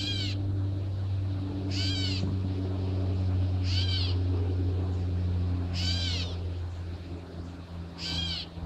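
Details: Catbirds scold with harsh, cat-like mewing calls, five of them about every two seconds, over a steady low rumble.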